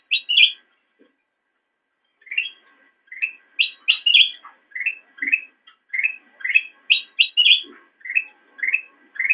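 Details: Kept black-crested bulbul singing as a training model for songbirds; after a short pause, a lively run of rising whistles alternates with higher bright chirps, steady and repeated roughly every third of a second.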